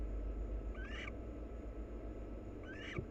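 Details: Two short raspy chirrups with a rising inflection from a wild barn owl pair engaged in mutual preening, spaced under two seconds apart, with a faint low hum and a soft tap at the end.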